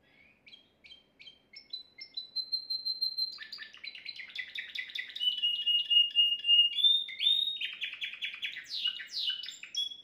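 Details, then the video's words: Timbrado canary song, recorded at home from a top bird as a flawless model for teaching young canaries; opens with spaced chirps, a long level whistled note, then rapid rolling trills and bubbling phrases growing louder, ending in quick falling notes. "chant canari sans faute pour l'écolage des jeunes"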